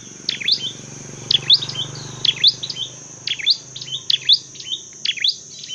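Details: Spaced, sharp, high double chirps come from a Dark-necked tailorbird used in training and trapping, repeated about every second over a steady low hum and faint high hiss.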